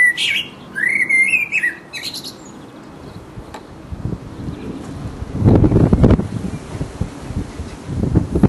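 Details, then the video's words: Resident blackbird giving its mating song: a brief warbled fluty phrase with a squeaky ending at the start, then steady low rumbling noise that swells louder later. "The mating song of a Black bird"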